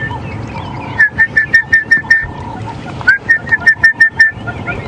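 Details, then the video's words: An Orange-breasted Bushshrike gives two quick runs of six or seven clear, mellow whistled notes on one pitch, about six notes a second, over a faint background hum. "you can hear the orange-breasted bushshrike."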